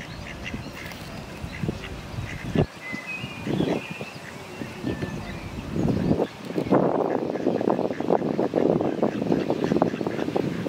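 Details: Mute swan in Prule, Ljubljana, Slovenia, on 18 May 2023 giving hoarse, low snorting grunts about once a second, busier in the second half, with faint small-bird whistles in the background.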